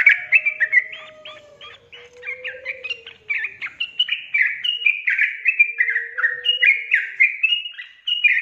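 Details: Lure recording of sooty-headed bulbul song for lazy birds: a steady stream of bubbly, descending whistled notes delivered about three or four per second, over a soft low tone that rises and falls.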